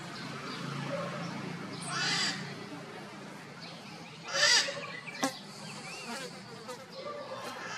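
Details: Red-shouldered macaws calling loudly from inside a chimney, the echo boosting their calls: harsh, raspy squawks in two main bursts about two seconds apart, with a sharp click and steady background hiss.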